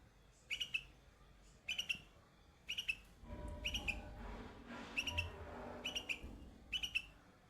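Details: A baby bulbul sitting on white flowers sings seven quick, bubbly chirp phrases at a steady pace of about one per second, with a faint low rustling murmur in the middle.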